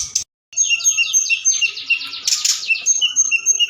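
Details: Forktail lure call at night, meant to excite other birds into singing: a brief high note, a pause, then a fast run of repeated descending high slurred notes over a thin sustained tone.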